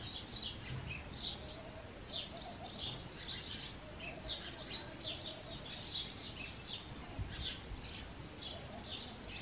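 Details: Many house sparrows, males in breeding season, keep up a continuous chatter of sharp, high chirps that tumble over one another without pause, with faint low rumbling noise underneath.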